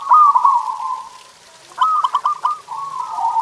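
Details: Zebra dove song used as a master recording for pet doves: a loud rolling coo trails off, then a choppy series of five or six clipped notes leads into a drawn-out warbling coo.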